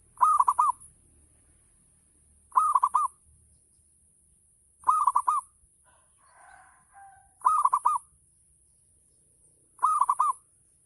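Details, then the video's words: Local zebra dove singing in full ngayer style as a lure for other doves: five rhythmic phrases of fast, rolling coos, evenly repeated about every two and a half seconds, with a soft murmur midway. "Gacor Perkutut Lokal || Pancingan Full Ngayer Perangsang Nyaut Bunyi"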